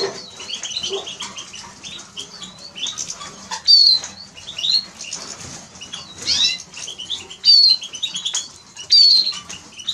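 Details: Eurasian siskin song with repeated high twitters and crisp downward whistles at intervals of a second or two, over a constant soft background of chirping.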